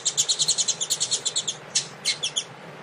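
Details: Warm-up singing of a double-collared seedeater (coleiro), Tui Tui style, with a female present before a tournament. A fast, high, ringing run of repeated notes for about one and a half seconds, then a few separate sharp notes.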